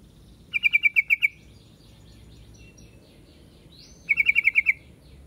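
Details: Two rattling runs of sharp, bright chirps from a yellow-vented bulbul (trucuk), about seven notes each and three and a half seconds apart, over light background noise.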